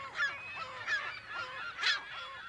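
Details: Chorus of California gulls in their colony, recorded in mono at close to medium distance: overlapping nasal, squealing calls from several birds, one louder call near the end, with no gap between voices.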